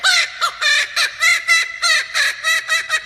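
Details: A male Laughing Kookaburra from Australia (blue marks him as male), prompted by his keeper, gives its raucous cackling laugh: harsh, chattering hoots repeated in quick bursts, about three per second, rising and falling.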